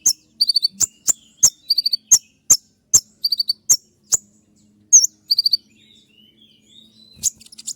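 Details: Kolibri ninja, Van Hasselt's sunbird, singing its piercing 'tembakan' song: regular sharp ticks with short high twitter clusters, then a pause with faint thin rising whistles before the ticking returns.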